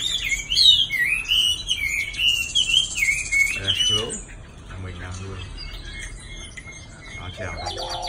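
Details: Caged Chinese hwamei, moulting with many pin feathers, a little restless when its cage is carried but settling when hung still: rapid rich warbled and whistled phrases for four seconds, then quieter scattered notes amid background noise.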